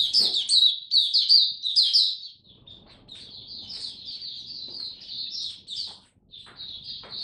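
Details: Caged Oriental white-eye kept by a bird hobbyist, in a song display described as 'Buka Sing Raja', recorded 26 November 2022: loud, rapid, high twittering warbles for two seconds, then softer continuous chatter over a faint low hum.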